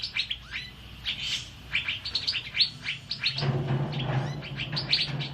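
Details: Asian fairy-bluebird singing energetically, kept as a tutor recording for training songbirds: rapid bursts of sharp chirps and short whistled notes that run on without pause, with a low steady hum entering midway.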